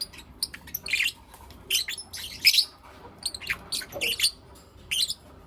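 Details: Lovebirds, Blue Opaline and Lutino Opaline, in morning chirping: shrill, scratchy chirp bursts about once a second, with one lower, softer squawk near the end.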